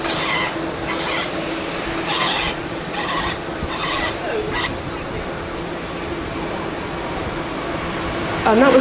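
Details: At Manchester Airport during a heatwave, harsh, grating black-headed gull distress cries in five or six bursts about a second apart, broadcast over a loudspeaker to lure birds for dispersal, above a steady engine hum with a man talking.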